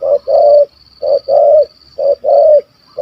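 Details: Wild spotted dove in Malaysia with a big 'kuk 1 2' voice, pursued by hunters. Loud, close phrases of one short coo and a longer, slightly falling coo, repeated about every second.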